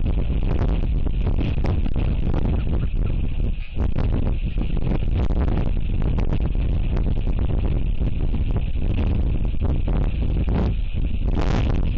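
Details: Steady, loud low rumbling, like heavy wind buffeting, with a music-like electronic texture and no clear animal call.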